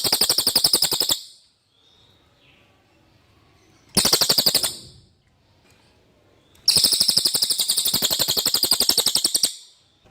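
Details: Clear common iora song used to tutor magpie-robins. Three rapid machine-gun-like high trills are separated by quiet gaps of two to three seconds. The last trill is the longest, lasting nearly three seconds.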